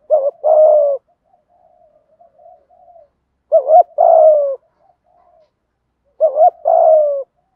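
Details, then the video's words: Thúc gù coo of the spotted dove in giọng thổ style, used to excite wild doves. A clipped rising pair of notes and a long sinking coo repeat three times, about every 3 seconds, with quiet low murmuring in between. "chim cu gáy thúc gù giọng thổ"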